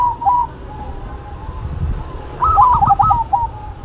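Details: Duet of a local and a cemani zebra dove: a soft drawn coo, a pause, then a clear run of rapid clipped cooing notes ending in a lower held coo, over faint low rumble.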